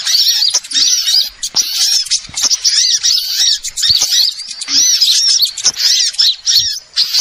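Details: Piercing high chirps and trills from a flock of small birds, played as a lure to trap birds, with many voices overlapping in rolling bursts separated by brief lulls.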